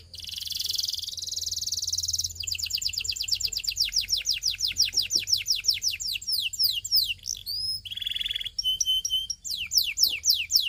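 A Belgian canary sings a long, varied song: a buzzy opening, fast runs of repeated high down-slurred notes, then quick rolling trills and clear whistled phrases.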